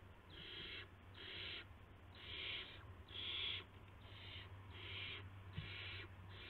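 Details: Owlets being fed prey by adult owls after midnight, 19 March 2016; a rapid series of eight rasping, hiss-like screeches, roughly one per second, rising and falling in loudness over a constant low hum.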